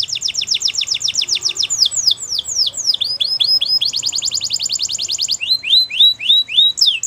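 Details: Wild canary singing in the morning, a bright, high song of rapid trills, with fast runs of repeated notes switching into sweeping, slurred phrases every second or two.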